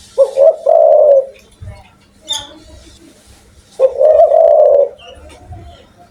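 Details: Spotted dove calling actively and loudly: one full phrase of deep, rounded coos, a quiet interval of about two and a half seconds, then a second matching phrase; a faint low hum persists.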